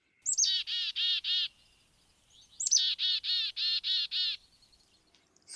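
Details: A Black-capped Chickadee (Poecile atricapillus) of New York City says its name twice: a thin high opening note, then a fast run of buzzy, harsh 'dee' notes, four the first time and six the second.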